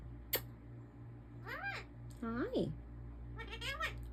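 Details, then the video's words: A captive African ringneck parakeet mimicking speech in a small room: several arched, voice-like syllables spaced about a second apart after a sharp click, with constant low electrical hum beneath. "the talking African Ringneck Parrot"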